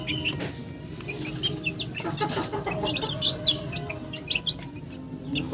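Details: Chickens calling together in dense, overlapping short clucks and shrill chirps, with a brief burst of rustling around the midpoint.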